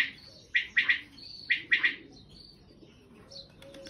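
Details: A wild quail calls in the open. Two sharp three-syllable bursts come roughly a second apart, with softer twittering from other birds between them.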